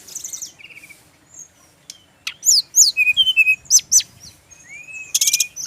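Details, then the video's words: Male brown-chested jungle flycatcher from Bali, singing a varied phrase of high, sharp whistles and quick downslurred notes. After a pause comes a fast burst of chirps, then a long rising whistle and a buzzy trill. "SRDC laen langsung nyaut denger suara burung SIKATAN RIMBA INi"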